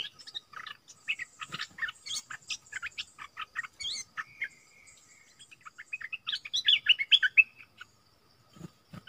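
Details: Streak-eared bulbul used as a decoy bird to lure wild birds, with the first wild bird of the year caught; bright chirping and bubbly warbled phrases in quick bursts, busiest near the end, with a few soft low knocks.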